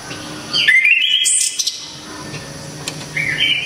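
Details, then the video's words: Orange-headed thrush of Java singing sharply: a long bright phrase of upslurred and wavering whistles with a high squeal in the middle, then a pause and a quieter rising whistle near the end. "ANIS KEMBANG‼️SANG Legenda TANAH JAWA ‼️TEMBAKAN KERAAS‼️DERRR DOR MANTAP JIWA‼️"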